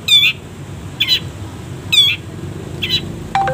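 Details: Caged long-tailed shrike training recording: four harsh, buzzy, harmonic notes about a second apart, followed at the end by a short steady tone, over low background hum.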